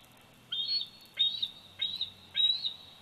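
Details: Bald eagle eaglet, 104 days old, Big Bear Valley nest, 27 July 2019, nest cam: four loud, sharp, high squealing notes at irregular intervals of roughly half a second, each starting with a quick upward scoop.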